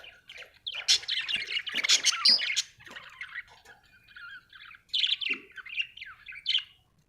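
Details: Australian budgie chirping: a rich burst of scratchy chatter and squeaks, then quieter twitters and a final run of short rising and falling chirps.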